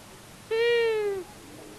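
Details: At a common buzzard nest in Tiszavasvári, Hungary, a visiting long-eared owl pair, male and female, recorded by nest camera on March 23, 2022: one nasal, harmonic-rich call lasting under a second, level then sagging at the end.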